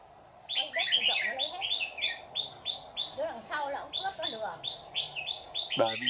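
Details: Red-whiskered bulbul of the white-cheeked (Má trắng) type, a decoy at a bird trap, singing a fighting song: short bright notes repeated several times a second in a steady run, with people talking nearby.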